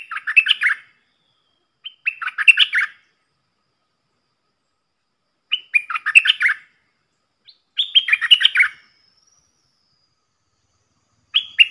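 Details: Caged red-whiskered bulbul decoy song used to teach young birds and lure wild ones; bright jumbled whistled phrases about a second long, repeated with gaps of one to three seconds, no other sounds.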